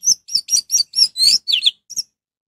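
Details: Orange-headed thrush in full song to set other birds singing: a quick series of high, buzzy whistled notes, the later ones dropping in pitch, ending in a soft double note.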